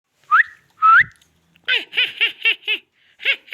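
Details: Indian ringneck parrot talking: two short rising whistles, then a quick run of six repeated, nasal, speech-like syllables, a brief pause, and two more syllables.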